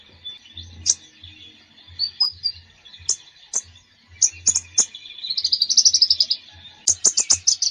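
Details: Konin bird in varied song: scattered sharp high notes and whistles, then a fast rolling trill of about a dozen even notes, followed by rapid clipped chirps, with a low hum in the background.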